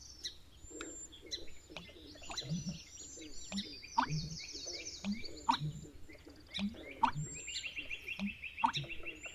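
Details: A North American bittern gives its deep, gulping "water pumping" call, like water glugging, about every one and a half seconds, in marshy habitat, over a busy chorus of other birds' high chirps and trills.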